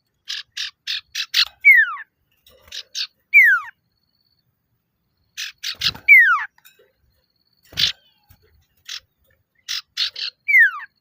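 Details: Male common iora in lively calling meant to draw out rivals. Rapid series of four or five harsh buzzy notes each end in a sharply falling whistle, repeated in three or four bouts across the recording, with occasional soft knocks.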